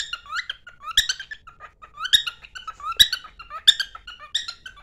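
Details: Singing pet cockatiel running to its partner: clusters of buzzy harmonic chirps roughly once a second, linked by thin lower whistles and soft ticks, indoors.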